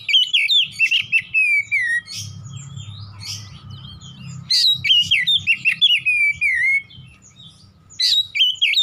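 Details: Oriental magpie-robin singing in the 'nembak' style with bursts of fast whistled and twittering notes, a quieter gap with low rumbling noise, then a renewed rapid phrase of slurred whistles and a short closing burst.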